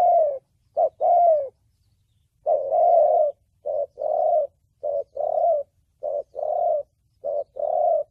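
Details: Spotted dove in the 'thổ bầu' voice, intended for trap luring and decoy training: a series of short and longer mellow coos in pairs, after a brief pause, over a faint low rumble.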